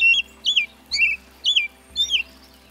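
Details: American robin (Turdus migratorius) sings short, clear, slurred whistled phrases, rising and falling, about two per second, over a faint low hum.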